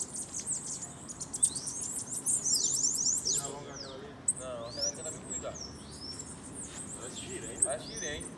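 A Bananaquit sings very high, thin, wheezy phrases of rapid buzzy trills and sweeping squeaks, running almost without pause. Faint lower sounds are heard in the middle.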